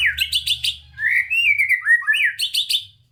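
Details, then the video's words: Energetic White-rumped shama song meant to prompt reluctant shamas to sing, with quick chirped notes followed by a long slurred whistle that rises and falls, then a burst of sharp chips. "Murai Batu GACOR Full ISIAN‼️ COCOK untuk Pancingan Murai Malas Bunyi dan Kurang Emosi"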